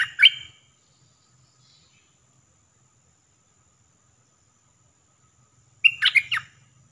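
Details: Caged decoy red-whiskered bulbul used to lure birds for trapping, singing the flowery "dok" style, recorded 1 September 2021. A short bubbly, warbled phrase opens the clip, then silence, then a second chattering phrase near the end over a faint low hum.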